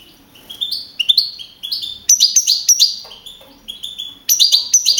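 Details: Field-type European goldfinch, a young male and 2012 contest champion in Navalcarnero, Madrid; a lively string of high, slurred twittering notes, each rising sharply, building into busier chattering runs.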